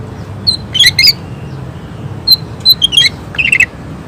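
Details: Greater green leafbird in rapid 'tembakan' song: grouped bright whistled notes and harsh doubled chirps, a short pause, then a quick stuttering cluster of high notes, over faint low hum.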